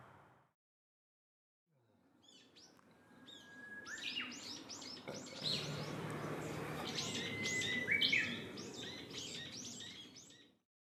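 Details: Black-faced bunting feeding intently, recorded 2 April 2019; a series of short, high, sharp chip notes repeated rapidly in the second half, over a steady background hiss.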